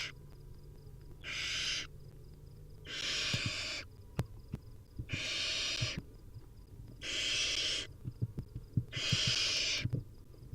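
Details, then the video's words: Begging barn owl nestlings at a wild nest at feeding time, five rasping snore-like hisses rising in loudness, regularly spaced, with scattered clicks and scratching between them. "Hungry Little Owls: Barn Owl Nestlings' Feeding Time"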